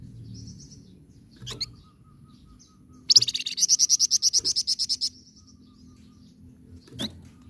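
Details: Flamboyan singing as a tutor for other birds, in rolling chatter style: a two-second burst of rapid, high, buzzy trilled pulses, preceded by a faint twitter and framed by sharp clicks and low hum.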